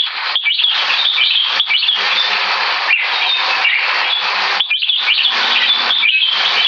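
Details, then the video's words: Caged competition red-whiskered bulbul about three years two months old, ranked top three in butir, giving high-speed keke and butir singing: dense, loud, continuous chattering phrases with sharp whistled notes, broken by brief pauses. "KEKE N BUTIR MACHINE"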